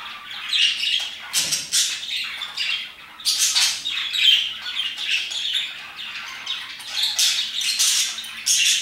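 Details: Parakeets around 2 pm chatter in a dense stream of bright, high chirps and harsh squawks, overlapping and irregular, with no pause throughout.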